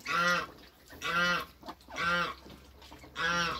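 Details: Toulouse goose mother beside goslings on their first day, kept in a backyard. Four slow, drawn-out nasal honks about a second apart, over a steady low hum and background hiss.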